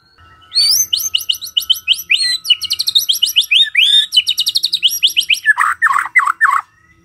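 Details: White-rumped shama morning song, used as a lure to make a quiet shama sing along: fast, varied phrases of high rising whistles and rapid buzzy trills, ending in a lower chattering burst.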